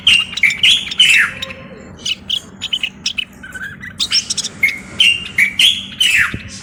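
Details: Common bulbul from Morocco in full song, repeating bright whistled notes and quick descending slurs in lively, uneven bursts over a low steady background hum.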